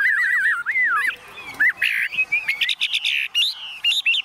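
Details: Tame caged Chinese hwamei, hand-carried and unafraid of people or other birds, singing: rich warbling whistles that wave up and down, then a run of loud, rapid, clipped higher notes in short bursts with brief pauses between.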